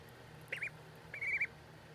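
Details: Two brief duckling peeps, the second longer and drawn out, against a faint low hum.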